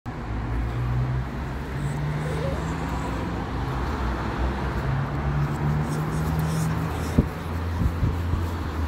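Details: Steady roar of road traffic with a low engine hum and a brief sharp knock near the end; no animal calls.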